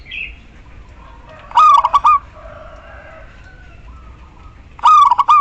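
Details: ['Female local zebra dove summoning the male, used as a lure for males that have gone silent: two phrases of quick cooing notes ending in a sustained tone, about three seconds apart, with soft extra bird sounds early on.']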